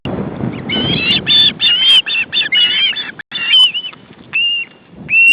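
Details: Osprey young begging at the nest as the male brings fish, August 2012. Clear whistled notes with wavering slurs come in short bursts, then isolated thin whines, over low rumbling background noise.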